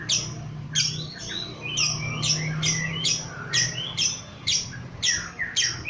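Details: Agitated lovebird answering a lure recording with a ngekek song: sharp, high descending chirps repeated about twice a second, fairly steady rhythm, over a low constant hum in the background.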